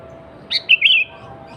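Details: Lure song of a sooty-headed bulbul (kutilang) meant to draw other bulbuls to answer: a single phrase of a sharp note and two liquid, wavering whistles, clean over a soft hum.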